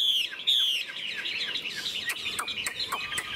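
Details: Chinese hwamei kept in a cage, singing on a sunny morning after being fed: two clear high whistles, then a run of quick chirping notes and short clicks.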